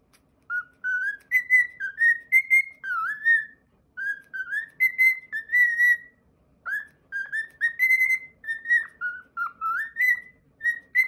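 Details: Cockatiel singing a self-made whistled tune, a long run of short clear phrases with upslurs and a few dipping, wavering notes. Short pauses split the tune into groups. The room is otherwise quiet.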